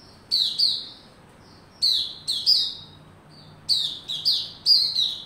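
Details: White-rumped shama kept in a cage, building form on 27 December 2021: bright downslurred whistles, often in quick pairs, separated by short pauses, with clicky onsets and a faint low hum behind.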